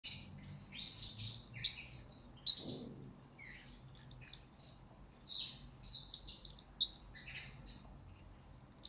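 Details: Blue-crowned hanging parrot used as a master recording for training lure birds: high, thin, shrill twittering phrases with sharp whistled notes, given in bursts separated by short pauses, with a faint low rumble beneath.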